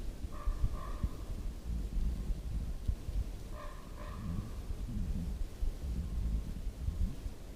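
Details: Crow calling amid wind through beech trees: two short, hoarse, harmonic calls near the start and another pair about three seconds later, over a constant low roar of wind and rustling branches.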